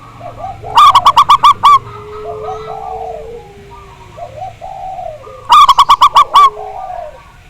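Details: Local zebra dove with a strong voice, recorded as a lure to make caged doves sing: two bursts of about seven fast, pulsing coos, roughly five seconds apart, over soft chirps and whistles of other birds.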